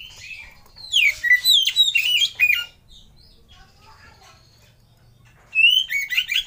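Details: Oriental magpie-robin lure song meant to coax other birds into singing. A rapid burst of varied, sweeping whistles and chips lasts about two seconds. After a quiet pause, another loud whistled phrase follows.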